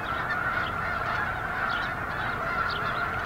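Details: Flock of snow geese at Eagle Scout Lake, 13 February 2024, a continuous wall of overlapping nasal honks with a few higher yelps rising above the din.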